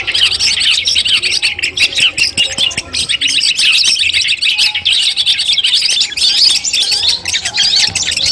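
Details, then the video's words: Long-tailed shrike (cendet) in pre-competition training audio, delivering a busy, unbroken chatter of high chirps and brief up-and-down whistled slurs, notes tumbling rapidly over one another with a faint low hum beneath. "masteran kumpulan suara cendet tes mental sebelum lomba"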